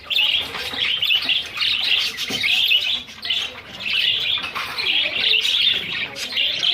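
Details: Pet zebra finches, several birds kept at home, shown in playful moments and flying; dense overlapping nasal chirps and short beeping calls in steady chatter throughout, with brief dips in loudness.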